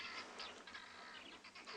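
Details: Guineafowl giving harsh, rattling alarm cackles in rapid broken bursts at sunrise on 17 July 2020, Tswalu Kalahari Reserve, South Africa, over a busy chorus including hornbills, crested francolin, spurfowl, grey go-away-birds and doves.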